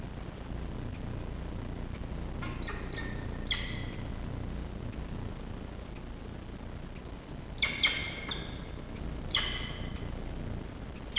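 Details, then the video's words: Peregrine falcon chick being fed by a parent at a nest on the Charles Sturt University campus, Orange, Australia, 2 October 2023: short, sharp harmonic chips, some in quick pairs, separated by quiet gaps over a steady low rumble. "ГОДУВАННЯ ПТАШЕНЯ. САПСАН."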